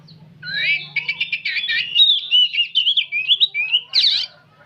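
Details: Old oriental magpie-robin chattering nyerecet-style without stopping: a dense stream of quick whistled and buzzy notes, some rising sweeps, ending in a harsh scratchy burst, with a low steady hum beneath.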